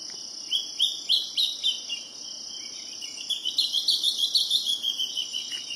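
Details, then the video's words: A Philippine hawk-cuckoo in Apolong, Valencia, near Dumaguete, gives two bursts of shrill, high notes, several per second, rising in intensity over a steady high-pitched insect drone. "Philippine Hawk Cuckoo"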